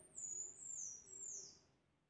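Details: Pectoral sparrow singing one very high, thin phrase of drawn-out whistles that step downward over about one and a half seconds, heard over a quiet low background.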